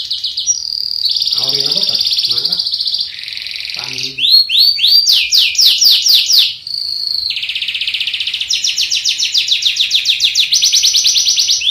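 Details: Canary kept for display at Uranus Park, Pemalang, Central Java, Indonesia, singing loud sustained rolling trills and rapid repeated slurred notes, shifting between tours, with brief human speech early on.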